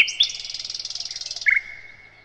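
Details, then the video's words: Sikatan londo (nightingale), a loud songster used as master song for training other cage birds: a pure whistled note, then a fast, even rattle of high repeated notes that ends in a long, steady whistle fading out. "Materan Burung Sikatan Londo"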